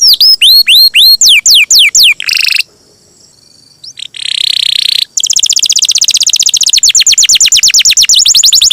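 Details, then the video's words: Champion canary singing a long roll, recorded as a tutor for songbirds: loud falling whistled sweeps repeated quickly, a short buzzy burst, a brief near-silence, then a long, fast, rattling high trill running to the end. "Suara Burung Kenari gacor juara ngerol panjang masteran terbaik"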